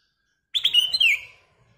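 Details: Black-crested bulbul singing a short, loud whistled phrase: quick bright opening notes, then a smooth slurred note that glides downward and fades, clean and free of other sounds.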